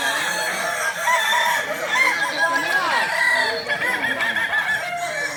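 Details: Several Kokok balenggek roosters crowing continuously at a Sawahlunto contest practice final on 16 July 2023, their stepped, warbling crows overlapping with steady crowd chatter.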